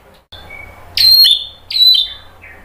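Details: Short burst of white-rumped shama song meant to spur other birds to sing: two loud, sharp downslurred whistles separated by a brief pause, plus a faint softer note afterwards.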